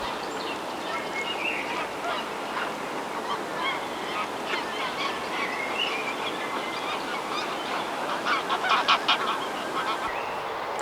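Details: In spring (April–May) on a lake, a flock of geese honks over one another in a dense, overlapping chorus of nasal calls, growing louder and more clipped near the end.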